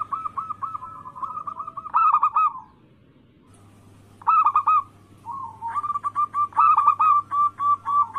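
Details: Zebra dove cooing, used as a lure to make rival doves call: low, rolling coos in bursts of quick pulsed notes with pauses between phrases, and a steady faint hum underneath.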